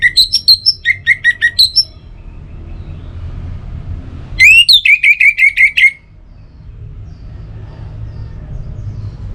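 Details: Lure song of an orange-headed thrush for morning and evening: a run of about ten sharp repeated whistles, silence, then an upward swoop followed by a string of evenly spaced piping notes, low hum underneath.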